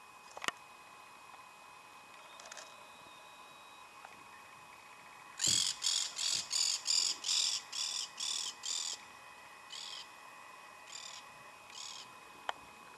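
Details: Spot-winged falconet in Cerro Colorado, Córdoba, Argentina, in May 2011, giving a run of about a dozen shrill, harsh, high notes, quick at first and then spacing out, over a steady faint hum.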